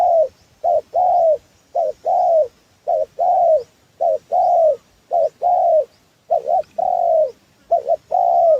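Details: Spotted dove lure call for trapping wild doves. Mellow hooting coos repeat in phrases, a quick double note followed by a longer drawn-out coo, roughly once a second, over a quiet background.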